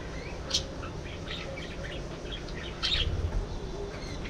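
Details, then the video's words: Budgerigars giving scattered squeaky chirps and short scratchy warbles, with two sharper louder bursts, over a low rumbling background. "budgies bird"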